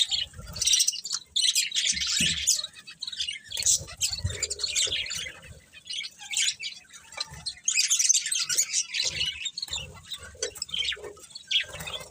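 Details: A group of pet budgerigars keeps up a long stream of rapid chirps, warbles and scratchy squawks, loudness rising and falling as birds overlap, with occasional soft low knocks.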